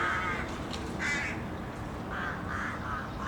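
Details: City crows in a flock giving a few short, rough caws spaced unevenly across a few seconds, fainter calls behind, over a low urban rumble.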